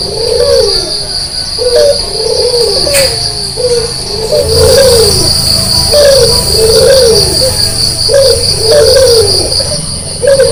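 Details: Early-morning calling of a white Barbary dove, red-eyed, in full voice: regular low arched coos in rhythmic series, with a loud steady high insect tone throughout.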